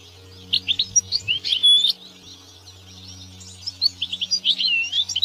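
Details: European goldfinch singing in nature: bursts of bright, liquid twittering and tinkling notes, paused briefly mid-phrase, over a steady low mechanical hum.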